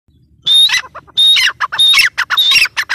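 Grey partridge giving loud, harsh, ringing call phrases, each a squawky burst of grating notes, repeated about every half second with short pauses between.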